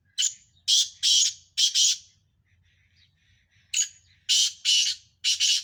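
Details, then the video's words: Harsh repeated phrases from black francolins, Sindhi birds in a five-bird calling match: each phrase opens with a thin high note, followed by loud buzzy rasps and a quick doubled ending, heard twice with a short gap. "5 Sindhi Kala teetar sakht mukabala"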